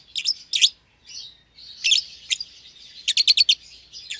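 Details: Pair of young lovebirds, a euwing green opaline and a red-eyed albino, caged together; sharp high chirps and soft twitter, ending in a quick run of five clipped notes.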